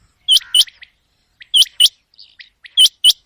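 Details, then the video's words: Common quail calling at night, used in quail hunting: three loud high double notes, with fainter short chirps from another bird between them. "چنگے کی آواز رات کے لے"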